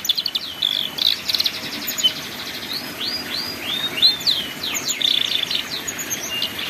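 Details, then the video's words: Ngeriwik-style canary song meant for young canaries learning to sing: rolling trills, a string of curved whistled slurs and brief buzzy notes repeated through the phrase. "MASTERAN BURUNG KENARI PAUD BELAJAR BUNYI NGERIWIK"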